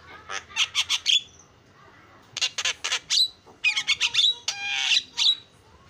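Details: Javan myna delivering harsh, rapid notes in short groups of four or five, separated by brief pauses, with some buzzy whistled notes mixed in.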